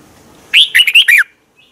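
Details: Single cheerful phrase from a caged Red-whiskered bulbul in Thailand: four or five quick, liquid whistled notes swooping up and down, clear and close, over a soft hiss.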